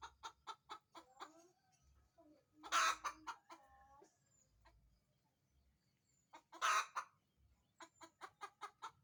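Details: Hen's laying cackle: steady series of short clucks, two loud harsh squawks about four seconds apart, with drawn-out whiny notes in between.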